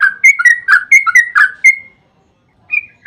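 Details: Energetic Yellow-vented bulbul 'ropel' song meant to provoke replies from other bulbuls: a quick string of loud slurred whistles rising and falling, then a short silence and one more whistled note.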